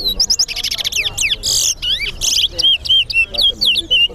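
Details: Towa towa competing in song at Guyana's Sheriff Street bird ground. Harsh buzzy trills and sliding whistles open the phrase, then it settles into rapid, regular clear whistled notes.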